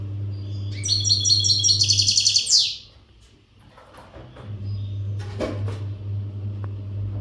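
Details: Caged European goldfinch of the western type, untutored, in readiness song: one bright, high, chattering twitter burst lasting about two seconds, followed by quiet room noise and a low hum.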